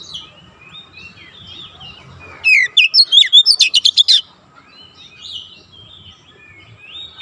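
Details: Oriental magpie-robin training song for young birds: soft warbling, then a loud rapid burst of about ten sharp ticking chirps and whistles, followed by quieter drawn-out whistles.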